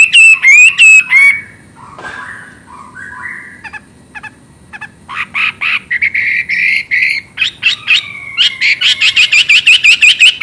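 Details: Chinese hwamei, or wambi, in full energetic song: loud looping whistles at the start, then softer varied warbles and rising slurred phrases, finishing with a fast run of sharp, ringing repeated notes.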